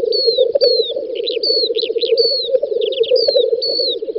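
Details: Lekking black grouse, Volga federal district of Russia, 9–10 May 2019, on a spring field: dense rolling bubbling murmur beneath repeated falling whistles and short buzzy chirps of other birds.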